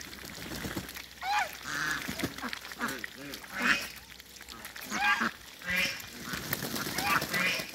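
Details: Muscovy ducks on a farm, near a new hybrid: short harmonic quacking calls, some rising then falling, given at irregular intervals, with several birds overlapping and faint background chatter.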